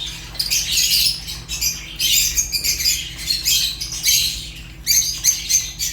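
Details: Fischer's lovebirds, African lovebirds, chirping in shrill, high, scratchy bursts that come in clusters about every second, with short quieter gaps between flurries.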